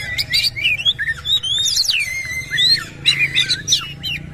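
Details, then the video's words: Kacer, the white-rumped shama, in a harsh-phrased song with tail spread; loud ringing whistles slide up and down, linked by fast chattering notes, over a soft low hum. "KACER GACOR BONGKAR ISIAN KASAR BUKA EKOR"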